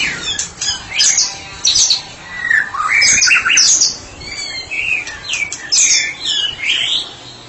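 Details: A therapy-specialist White-rumped shama sings ngeplong style, mixing harsh chips, rising whistles and twittered phrases separated by short gaps.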